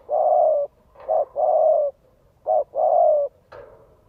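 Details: Vietnamese lure recording of a spotted dove calling to rouse a male: loud, warm coo phrases alternating a brief note with a drawn-out hollow one, three pairs, ending in a short rougher note.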